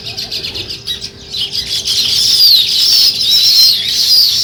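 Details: Morning chirping of sparrows around a village: many rapid, thin, high-pitched chirps and short whistled squeaks crowd together into a constant chattering chorus that grows louder toward the end.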